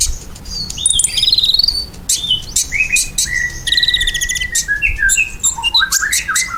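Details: Lively ruby-cheeked sunbird song, used as a lure to make pet birds reply: fast high trills that slide downward into lower whistled notes, with sharp ticks between phrases and a final rising run of chirps.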